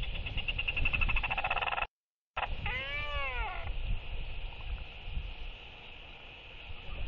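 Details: Evening courtship display by four socializing royal albatrosses, 23 October 2023: a buzzing rattle of rapid clicks, a brief gap, then one arched, moaning braying call with many overtones, against blustery wind.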